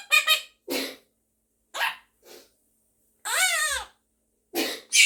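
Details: Pet monk parakeet (Quaker parrot; Myiopsitta monachus) talking and singing with its owner at home: short raspy vocal bursts, including a longer warbling, rising-and-falling phrase, separated by brief silences.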